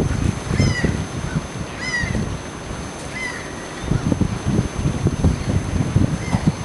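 A common tern gives harsh, grating, down-slurred calls, about four over several seconds, above loud low rumbling wind and water noise.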